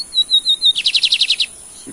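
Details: Bred Brazilian lined seedeater attempting the torneado song: several high, thin, level whistles, then a fast, even series of about eight sharp, clipped notes. Afterwards a man softly coaxes the bird in Portuguese.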